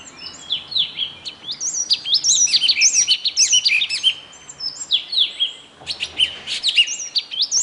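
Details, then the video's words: Continuous rapid warbling from a songbird: high, twisting whistled notes and chirps tumble one after another with barely a gap. There is a short dip in intensity partway through, and quiet background hiss. "nkauj noog quaj zoo mloog a bird that sounds good alone"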